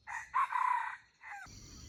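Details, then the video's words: Red junglefowl crowing as a lure for trapping wild chickens: a fairly quiet, lower-pitched crow with a brief first note and a sustained middle, then a short falling tail, followed by hissing background noise. "Trap wild chickens with crowing voice"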